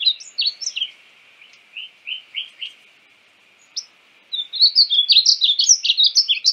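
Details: Painted bunting, native to North America, singing: a quick warbling run of high, slurred chirped notes, a brief pause, then a louder jumbled burst of rapid sweet notes.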